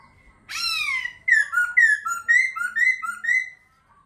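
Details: Laughingthrush delivering one long, loud swooping whistle followed by a steady series of about six clear, bouncing two-part whistled notes, each roughly a third of a second apart.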